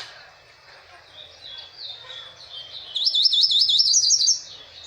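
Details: Goldfinch kept in a cage held in the hand, singing: a thin warbling run of high notes builds into a loud, fast, rolling trill of repeated metallic chirps, then fades.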